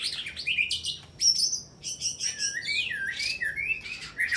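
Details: White-rumped shama in a contest, singing in a fighting style that bows low to press its rival, mixing sharp quick phrases of small birds: high thin whistles, buzzy trills and slurred downward notes in fast bursts with brief pauses.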